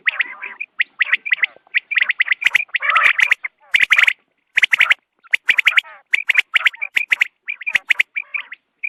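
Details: Quail sounds for dawn hunting: loud, gravelly, gargling chatter and shrill chirps, packed closely together with brief breaks and crackling clicks throughout.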